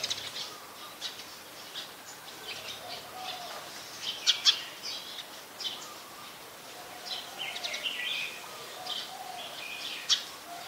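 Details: Brown-throated sunbird recorded at Ubon Ratchathani, Thailand, on 2 January 2021: short high chirps and sharp ticks scattered irregularly through the clip, with a few louder accented notes near the middle and end over a soft background hiss.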